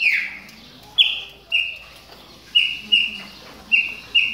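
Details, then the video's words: Chopi blackbird warming up its calls during molt: clear, high whistles, one falling slur, then six short, level whistles spaced half a second to a second apart, over a faint low hum. "CHAMADOS DE PÁSSARO PRETOS"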